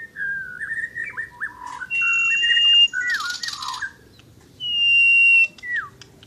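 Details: Asian brown flycatcher in energetic song: fluid warbled phrases with downslurred whistles, broken by long steady high pure notes and rough noisy bursts.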